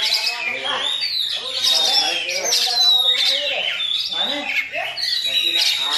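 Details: Caged Oriental magpie-robin singing a varied, rapid song mimicking a myna: dense whistled and chattering phrases, sliding notes, harsh fragments and grating bursts, with low murmurs underneath.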